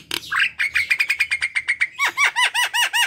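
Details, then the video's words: Javan myna in full song to prompt other mynas to call: a dense, steady stream of bright chirps, ending in repeated looping, swooping whistled notes. "pancingan jalak kebo"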